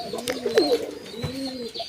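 A pigeon gives soft, low, throaty coos that rise and fall, with a few faint knocks nearby.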